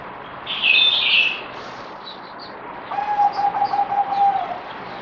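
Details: After a loud burst of high chirping from another bird, a zebra dove (merbok) sings a quick, even staccato string of low coo notes for about 1.5 seconds; recorded 17 April 2020 on its fourth deworming day.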